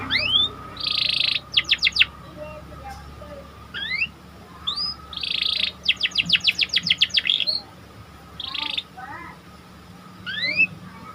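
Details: Active panda canary song meant to raise excitement in other canaries: rising whistles, short buzzy rolls and quick runs of falling sweeps, repeated with pauses in between, over a faint steady hum.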